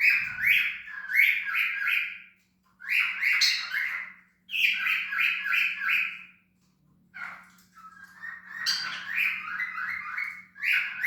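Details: Cockatiel giving bursts of harsh, squawky chirps in quick runs of three to five notes, pausing between groups, over a steady low hum.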